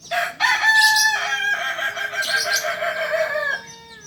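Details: Kokok Balenggek, the native singing chicken of Solok, on a farm in Solok city. It gives one sustained, loud crow of about three seconds, made of several stepped, harmonic segments that end abruptly.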